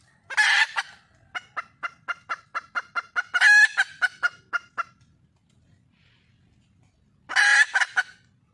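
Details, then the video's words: Wild red junglefowl hen calling for a male: a harsh squawk, about ten rapid evenly spaced clucks, another squawk with more clucks, a quiet pause, then a final loud squawk. "le bruit d'une poule sauvage,เสียงไก่ป่าร้องหาถู่หาตัวผู้,ສຽງໄກ່ປ່າຮ້ອງຫາຄູ່ຮັກ, poj qaib qus see"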